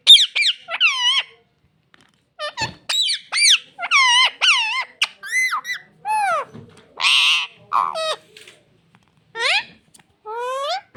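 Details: A talking parrot that says "mummy papa" utters many short, sharply bending squeaky syllables in quick bursts, with gaps between phrases and one harsher, buzzy note midway; quiet room, no other sounds.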